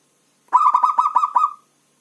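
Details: Local zebra dove giving a many-syllable coo: about seven quick, staccato, mid-pitched notes run together in roughly one second, then silence.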